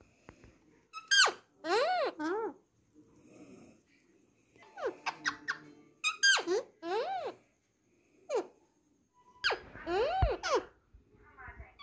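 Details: Alexandrine parakeet, a Hindi-talking household parrot in a small room: repeated clusters of speech-like arched harmonic syllables separated by short pauses, with faint background rustling between phrases.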